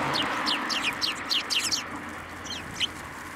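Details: Sparrows visiting a sidewalk curb to be fed, Tenmangu shrine, 11 January 2024; a fast run of about eight sharp, descending chirps, then two more isolated chirps, with faint background noise.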